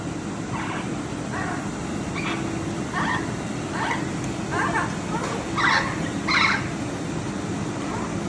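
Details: Blue macaws, described as smart parrots; a series of harsh, raspy squawks repeated roughly every second, growing louder toward the end, over a steady background hum.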